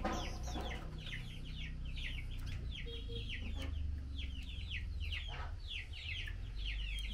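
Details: Female blue-winged minla calling to the male while being fed mealworms: a steady stream of quick, down-slurred chirps repeated several times a second throughout, over a low background hum.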